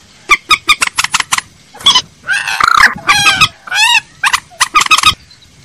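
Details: Moorhen lure recording (trích ré, cuốc biển). Quick series of clipped clucks lead into several drawn-out, wavering, nasal squawks, then a further run of sharp notes.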